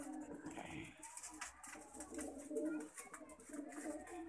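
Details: Lakha pigeon cooing, a low vibrating rolling call repeated in short swells, other pigeons murmuring in the background inside a small room.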